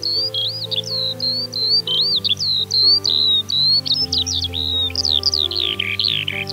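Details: A captive Eurasian skylark kept at home pours out an unbroken, high, rapid stream of twittering, trilling, silvery ringing song, over low steady music-like tones.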